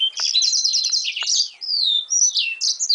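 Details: High-pitched warbling from a moulting yellow-rumped seedeater × canary hybrid: a quick buzzy trill, then clear whistled slides and short bright chirps in rapid succession.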